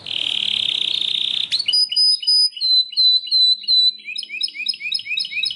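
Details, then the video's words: Belgian canary song opening with a steady buzzy rattle, then clear high drawn-out whistles and a quick series of short descending chirps. "O canto canário mais espetacular #85 - OUÇA ISSO e seu CANÁRIO BELGA VAI CANTAR MUITO!"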